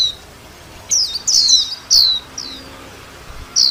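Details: A few loud, clear, high chirps from a white-eye, each sliding downward, spaced irregularly with quiet stretches between.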